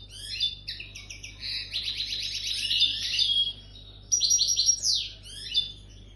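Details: Song of a European goldfinch coming into breeding condition: a long, tinkling run of sweet twittered notes and rattling trills, a brief gap, then a few sharper chirps and a slurred downward note.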